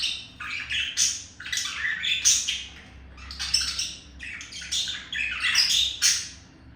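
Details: Courting male budgerigar addressing a female in a home setting; scratchy, rapid warbling chatter with buzzy squawks and high squeaks, delivered in uneven bursts.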